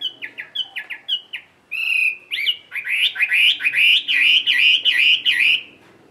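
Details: Solo midday ngũ trường song from a tame caged Chinese hwamei: clipped repeated whistles, a pause, then a long, loud rolling stream of warbled, wavering notes.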